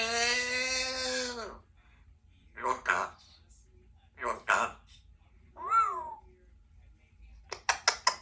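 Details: A 2-year-old female Congo African grey parrot, a pet, chatters mimicked speech in short voice-like bursts: a long drawn-out opening sound, clipped word-like syllables, a rising-falling whistled note, then quick clicks.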